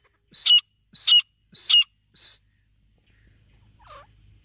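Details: Grey francolin (teetar) giving four loud, shrill, high-pitched notes spaced about half a second apart, followed by quiet low background rumble and a faint brief sound.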